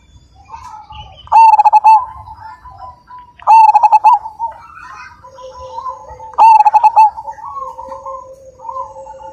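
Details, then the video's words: Majapahit-type perkutut, a zebra dove, delivering a big-voiced cooing song: three loud stuttering coo phrases roughly every two to three seconds, linked by quieter drawn-out cooing notes. "Perkutut Majapahit Gacor Dan Ganteng, Suara Besar,Super Kung"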